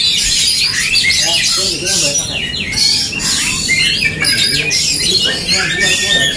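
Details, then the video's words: Dueling Oriental magpie-robins, a fighting bout meant to provoke emotion. Rapid clustered whistles and downward-sweeping chirps overlap nonstop, with some lower harsh, squawky notes underneath. "DUEL Kacer tarung bongkar emosi"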